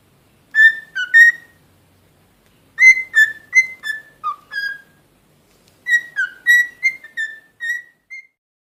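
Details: Whistled tune from a pet cockatiel known as a talking parrot: three phrases of clear, short notes, each phrase a quick sequence of steady pitches with small rises and falls, separated by brief silences.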